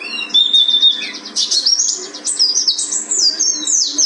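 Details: A Buxton mountain white-eye from Gunung Karang sings a fast, unbroken stream of high, thin twitters and sweeping whistled notes, with a faint steady room hum behind.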